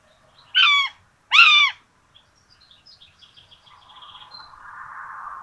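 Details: Two common buzzard chicks at a nest in Tiszalök, Hungary, fed a rabbit on 26 June 2022; two strong, downslurred squealing calls, then faint high chirps from other birds and a rising background hum.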